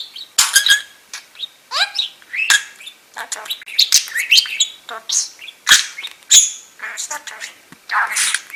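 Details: Budgerigar, pet male named Pedro, sitting on his owner's shoulder chattering non-stop in rapid, high warbles, squeaks and clicks, with scratchy mimicked talking phrases in a continuous stream.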